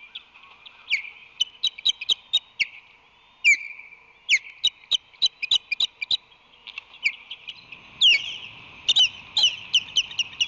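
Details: Resident osprey in an aerial skirmish, driving a rival female from its San Francisco Bay nest on a March 2020 morning: bursts of high, piercing chirps in quick runs of four to six, separated by brief pauses.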